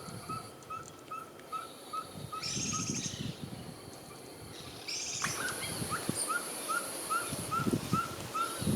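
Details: At night on a windy owling trip in Orotina, Costa Rica, a Ferruginous Pygmy-Owl seen at close range gives a long series of short, clipped whistled toots, two or three per second, with another bird's brief bursts and a man speaking.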